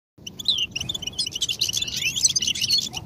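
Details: European goldfinch singing, used to stimulate other goldfinches to sing: a dense run of high twittering and tinkling notes with short slurred whistles, steady throughout, with a faint low hum beneath.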